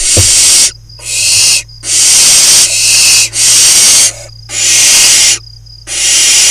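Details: Barn owl chicks playing in their nest box amid Hula Valley fields, Israel, June 2020; loud, nearly continuous overlapping hisses from several nestlings, long rasping bursts broken by brief gaps, plus a soft thump at the start.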